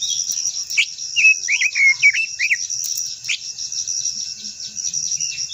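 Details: Japanese white-eye (quế lâm) singing its long-voiced rousing song: a short string of bright, quick, wavering high notes lasting about two seconds, with a constant high-pitched insect-like buzz throughout.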